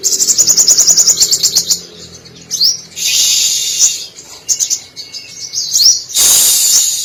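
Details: Brown-throated Sunbird, locally sogok ontong, in lively song laced with imitations of canary, cililin, sparrow and lovebird. Rapid high chirps in a steady series, then upswept whistles and twitters, ending with a loud hissing burst.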